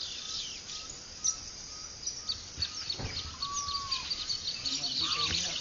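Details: Dawn chorus of many birds on the plains of Barinas, Venezuela, recorded at a ranch near Ciudad de Nutrias on 12 February 2009: dense high twittering, short whistles and one clear slurred whistle midway, over a soft rural hiss.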